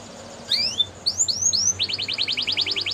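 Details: Belgian canary singing to prompt other canaries to sing: a few upslurred whistles, then a quick run of repeated short notes, over steady low background noise.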